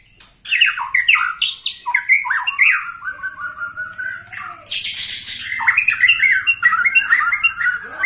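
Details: A 21-year-old white-rumped shama opens with a tumbling series of descending whistles. A harsh buzzy burst follows, then flowing, varied warbling.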